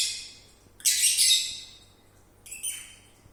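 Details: Sleeping lovebird making snoring and whistling sounds: a hissing, breathy high rasp lasting about half a second, then a shorter, fainter wheezy burst a second later, in an otherwise quiet room.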